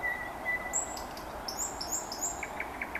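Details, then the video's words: Common nightingale singing on a May evening around Vyazniki: long, thin, level whistles, then very high, short, slurred notes, ending in a run of evenly spaced, repeated chipping notes, over a steady background hiss. "Chill out Nightingale Singing"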